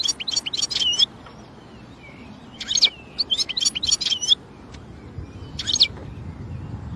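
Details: European goldfinch in the wild, singing in three clusters of bright, rapid twittering notes mixed with short slurred whistles, separated by quiet gaps with low steady outdoor hiss.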